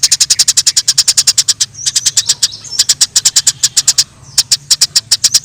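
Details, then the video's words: Fighting Eurasian tree sparrows in the wild: long, fast runs of piercing high chirps, about seven a second, with faint thin slurred whistles in between and brief gaps. "Suara Gereja Di alam liar Gereja Tarung suara jernih"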